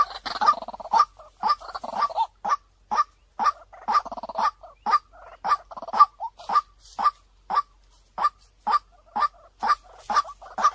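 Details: Long run of white-breasted waterhen lure calls, over twenty clipped hollow notes at a steady two-per-second pace, the early ones fuller and rougher, later ones cleaner and evenly spaced.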